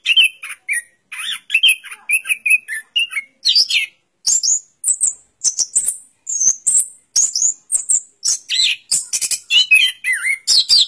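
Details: Orange-headed thrush delivering a busy song of short twittering phrases, mid-pitched warbles early on, then bright high whistles and sharp chips tumbling out in quick succession with tiny gaps.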